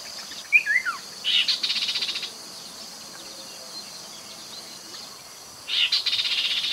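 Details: Chestnut-capped babbler lure sound recorded beside the Mekong River in Nakhon Phanom, Thailand, in 2021. It opens with a few quick chirps, then two buzzy, rattling bursts, each about a second long, separated by a quiet stretch with faint background hiss.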